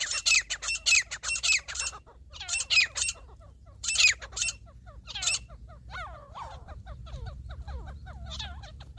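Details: Wild grey francolin (grey partridge, teetar) in a hunting context gives harsh, squawking bursts in a rapid series, roughly two per second, then weaker scratchy notes with a low rumble behind.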